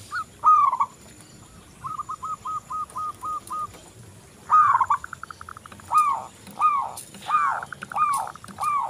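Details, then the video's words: Local zebra dove singing busily, played to prompt other doves to sing: a rising coo, a run of about eight short even notes, then a string of rising, stuttering coo phrases in quicker succession. "Perkutut lokal Gacor"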